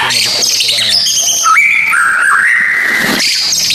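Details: White-rumped shama song meant to stimulate a silent bird: high thin notes, then a clear whistled phrase stepping up and holding level, with soft chatter at the end.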